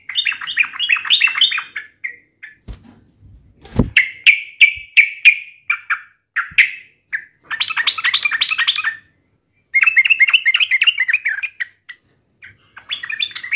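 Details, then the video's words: Agitated sooty-headed bulbul in fighting mode: hurried, warbling chatter in uneven bursts, with a few sharp clicks between phrases and brief quiet gaps. "trucukan gacor FULL TARUNG NGAMUK ahlinya bikin agar trucuk gacor seketika nyaut emosi"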